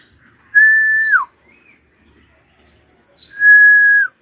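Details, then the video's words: Screaming drongo (srigunting krantil), played to stir young birds to sing: two long, steady, pure whistles about three seconds apart, each bending downward at the end, with little else heard. "JERITAN SRIGUNTING KRANTIL RAJA PALING COCOK BUAT PANCINGAN BURUNG BAHAN"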